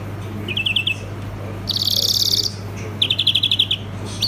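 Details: European greenfinch in song: a short run of twittered notes, a harsh buzzy rattling phrase, then a bright rapid trill of repeated notes, over a continuous low hum.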